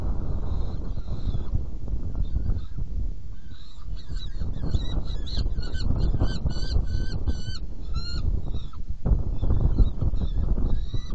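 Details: Saker falcon at a nest box during feeding, 17 June 2018 at 10:31: after a few seconds of rumbling background, a run of short, harsh, harmonic calls repeats rapidly, about three per second, then stops, with steady low noise throughout.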